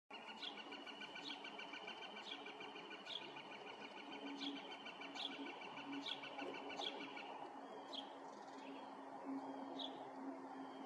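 An Eastern towhee gives a sharp, sweeping call note about once a second, eleven times in all, over a steady droning hum of insects.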